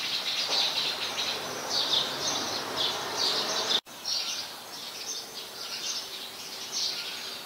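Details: House sparrow chirping, Ubon Ratchathani, Thailand, 5 February 2020: a dense, blurred chatter of high chirps, briefly cut by a sudden gap midway, then resuming more softly over background hiss.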